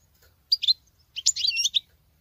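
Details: Female goldfinch in male-style song, giving a short pair of high chirps and then a longer, fast, jangling twitter with buzzy, wavering trills.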